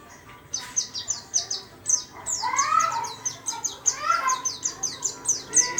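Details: White-eye singing busily in a small cage: a fast series of short, high, downslurred notes, with some lower, rising tonal sounds in the middle.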